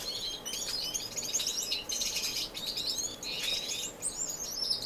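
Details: Finches in an indoor, non-breeding community aviary in Edmonton, Canada, recorded on March 26, 2015: a dense, continuous chorus of high twittering and chirping from many birds at once, with steady background hiss.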